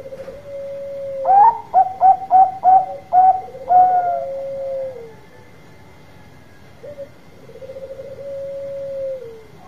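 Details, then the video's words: Bangkok-type zebra dove, a loud singer used as a lure to get other doves answering: a low trilled coo, then a bright run of six or so loud staccato notes over a sustained coo, a quieter trailing coo, steady faint high tone throughout. "Perkutut Bangkok Gacor Suara Besar Tepat Buat Pancingan Cepat Nyaut"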